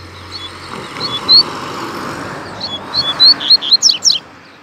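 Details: Rusty-collared seedeater singing loose in a Brazilian town square: scattered clear high whistled notes build into a fast run of sharp, down-slurred notes near the end, over a background of low traffic rumble.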